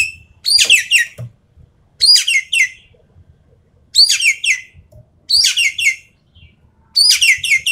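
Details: A Javan pied starling delivers bursts of full rapid-fire song, meant for steeling contest birds: clusters of three or four sharp, downslurred harmonic whistles, repeated roughly every one and a half seconds with silent pauses.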